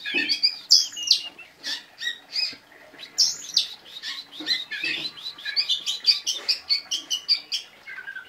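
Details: Oriental magpie-robin in vigorous song with sharp bursts: dense, varied high chirps, whistles and buzzy slurs, with a quickening run of rapid twittering notes toward the end.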